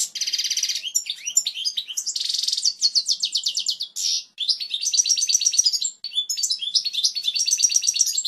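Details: European goldfinch singing its pure, strong song for tutoring chicks: buzzy trills alternating with rapid repeated twittered notes, nearly continuous with two brief breaks.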